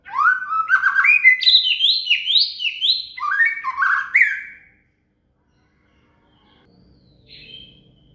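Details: Shama (murai) song used as material for training a cililin: a rapid run of rich, slurred whistled phrases that step upward in pitch, then a pause and one faint high note near the end.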